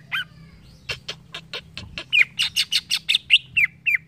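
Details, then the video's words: Green leafbird, a caged bird, singing a fast series of sharp clicking chips and slurred whistled notes, about four per second, growing louder in the second half, with a faint low hum underneath. "CUCAK IJO BAHAN CEPAT NYAUT DENGAR CUCAK IJO INI"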